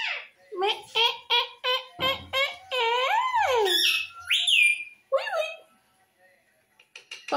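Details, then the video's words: Talking parrot mimicking human speech indoors: a run of rhythmic, voice-like syllables with rising and falling inflection, then several high, sliding whistled notes, and a quiet pause near the end. "Talking Parrot"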